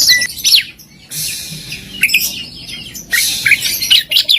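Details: Oriental magpie-robin masteran with full fills and shots: high rapid twittering and whistled slurs in two main bursts, with a quieter stretch between.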